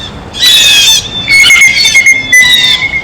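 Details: Blue jays eating at a feeder give loud, grating squawks in two main bursts about one second apart, with a thin, sustained high tone running beneath them.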